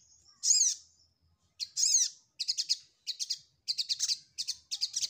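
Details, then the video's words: Ruby-cheeked sunbird singing while seeking a rival: a sharp descending chip, then a buzzy slurred note, then rapid stuttering clusters of high thin notes that grow denser toward the end. "Suara SogokOntong mencari Lawan"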